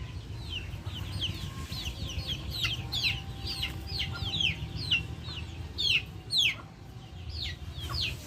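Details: Backyard chickens uttering many bright, sharply descending peeps in quick series, with a faint steady tone in the background and low rumbling noise beneath.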